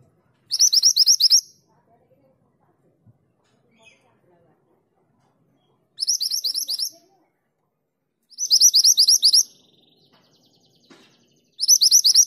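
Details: ['Female mountain mantenan calls a male with four bursts of rapid, high, upslurred chirps, each around a second long and spaced several seconds apart, with near silence between them.']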